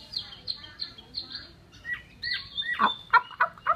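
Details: Chinese hwamei giving a string of high, repeated whistles, followed by lower, harsher, abrupt notes with a rough, clucking quality.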